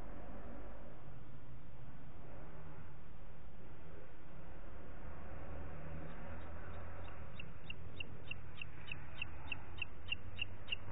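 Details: Booted eagle calling in Parc Natural dels Ports on the morning of 27 June 2021, 09:06; after several seconds of low rumbling background, a rapid string of sharp, high, evenly spaced notes begins and continues to the end.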